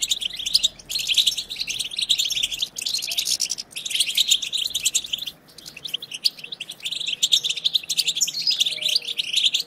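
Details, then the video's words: Group twittering of European goldfinches, used to excite other goldfinches into song: continuous, rapid, high-pitched chatter with only brief gaps, loud throughout. "هيجان خرافي وتحفيز من أول دقيقة بتبتة حسون خرافية لن يهدأ حسونك بعد سماعها قل وداعا لصمت الحسون"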